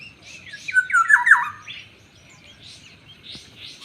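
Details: Rasping, nasal notes from a black-naped oriole, several dropping quickly in pitch in a tight cluster lasting under a second, with softer chatter before and after.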